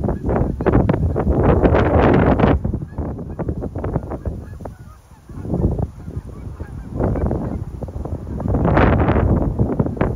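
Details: Geese, low flying and scattering for cover in whipping high winds while patrolling a park, honking amid heavy roaring wind noise that buffets the microphone throughout.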